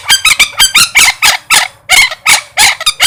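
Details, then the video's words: Parrot calling with rapid, harsh, buzzy squawks, about a dozen short bursts in three seconds, each rich in bright overtones and crowded closely together in an uneven rhythm. "suab noog yeeb kub quaj zoo heev tiếng vẹt keu"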